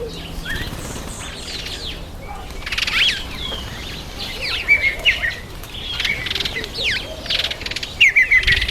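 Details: Masked weavers in breeding season, September to October: busy overlapping chatter of short buzzy chirps and sweeping whistled notes, louder bursts near the end, with flapping wings.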